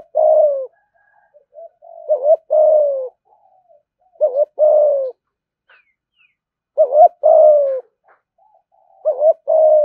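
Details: A spotted dove repeats its "thúc gù" coo, a good voice said to call fast and draw rivals to fight. Four phrases, each a quick double wavering note and a long falling coo, with faint soft notes between.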